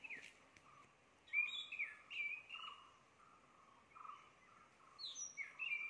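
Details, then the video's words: Unidentified bird calling at Chorla Ghat, Goa; clear whistled notes, some sliding up, interleaved with lower steady tones, repeated in short phrases over several seconds against a quiet background. "Identify Bird Calls"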